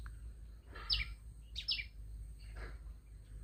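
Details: A small bird with a big voice gives three bright, sharp chirps about a second apart, each a quick high downward-sweeping note, over a steady low hum.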